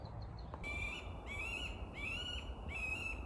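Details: A Middle Spotted Woodpecker, filmed on a phone in late winter (January) at a forest edge by orchard meadows, gives four nasal, drawn-out quacking notes, each slightly rising, about one every 0.7 seconds, over a low rumble. It quacks rather than drums.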